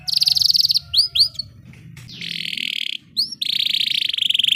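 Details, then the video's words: Canary roll recorded as tutor audio to spur quiet canaries: a rapid trill, a few looping whistled notes, then long buzzy rattling trills, with low background rumble throughout. "Canary Ngeroll Emosi ‼️ Terapi Canary Jarang Bunyi Cepat Ikut Ngeroll"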